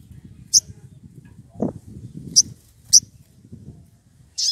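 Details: Wild rufous piculet, excited and calling for a rival, used as a lure: four sharp, very high squeaky notes spaced irregularly, over a low rumbling, rustling background.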